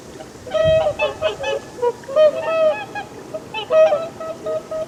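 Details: A series of loud, nasal swan honks, some short and some drawn out, delivered in irregular bursts by more than one bird. A soft low thump and steady background noise are also heard.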